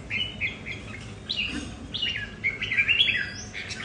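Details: Red-whiskered bulbuls kept at home, competing over territory, each bird with its own temperament: short warbled, slurred phrases, some rising and some falling, follow one another quickly, louder toward the end, over a faint low hum.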